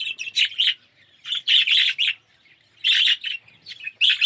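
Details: Red-eyed yellow budgerigars in an aviary colony giving bursts of rasping, warbled chirps, grouped phrases lasting about half a second with quiet spells between them.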